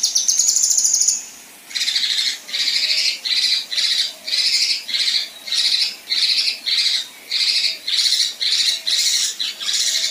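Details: Besetan and rough tembakan kasar from a female kinoi, a tutor song for contest birds: a high fast trill opens, then a long series of scratchy buzzing bursts roughly twice a second for eight seconds.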